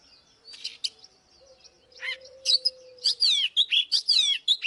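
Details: Oriental magpie-robin, sung as a fighting lure for a wild-caught bird: soft scattered notes and a low steady tone at first, then loud, rapid whistled phrases with falling slurs in the second half.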